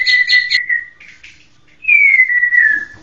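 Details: White-rumped shama giving clear whistled notes: a few quick buzzy high notes, then a long falling whistle, a pause, and a second long gently descending whistle.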